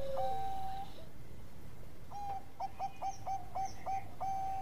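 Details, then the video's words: Energetic song of a Bangkok-type zebra dove, intended as a training tutor for other birds: a long level coo, a pause, then a quick run of short, quieter clipped coos ending in a longer note, over steady low rumbling noise. "Perkutut Bangkok Gacor"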